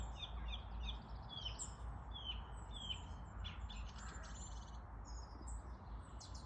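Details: Spring birdsong outdoors: several small birds give high, thin chirps and short whistled phrases in scattered bursts over a steady low rumble of background noise.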